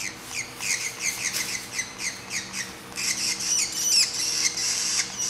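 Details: Three-week-old grey treepie (Dendrocitta formosae) chick, found roadside in southeastern Taiwan and being hand-fed, gives rapid, harsh rasping begging calls, about two or three a second, growing louder and more continuous.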